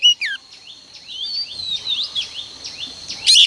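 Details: Morning song of a female oriental magpie-robin, meant to prompt males into singing: a sharp chirp at the start, then a string of faint repeated high downslurred whistles, ending with a loud bright note burst.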